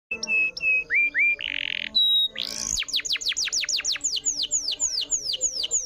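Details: Canary in full chattering song, used as a lure recording: whistled notes and a buzzy burst, then a rapid run of descending whistled sweeps repeated about three times a second.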